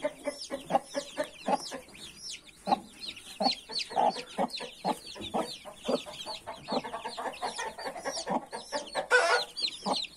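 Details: Newly hatched chicks, 31 of them, peep incessantly in high, bent notes as their mother hen adds a run of quick, low clucks, busier toward the end.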